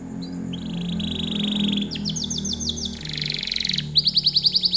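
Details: Canary performing a long song: a sustained rolling trill, then faster buzzy trills shifting in pitch, ending in a loud, evenly pulsed rapid trill, with a steady low hum underneath.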